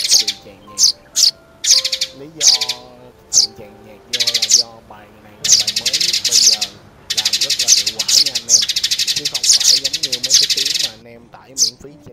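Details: Sparrow calls for luring birds into traps: isolated sharp chirps at first, building into long continuous runs of buzzy, rattling chatter, with a man talking low in the background.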